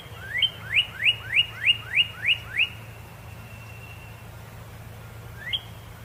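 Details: Red cardinal gives seven quick upslurred whistles in even rhythm, then a thin steady whistle trails off into quiet before one last rising note near the end.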